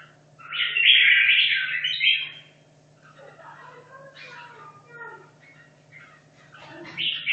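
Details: Hanoi red-whiskered bulbul, caged two and a half years, rehearsing for a singing contest: one loud two-second burst of dense whistled warbling, followed by quieter scattered chirps from other birds and a low mains hum.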